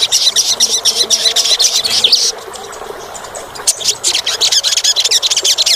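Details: Olive-backed sunbird (sogok ontong) song used to stimulate a caged bird that rarely sings: rapid, thin, high chittering notes in dense bursts, pausing briefly midway before resuming.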